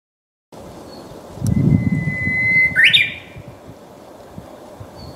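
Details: Japanese bush warbler, a young bird not yet able to sing properly, its attempt rendered as "ho, hokehoke, hoi". A long, steady whistled note is held for over a second, then ends in a quick, sharp upward flick, over a low background rumble.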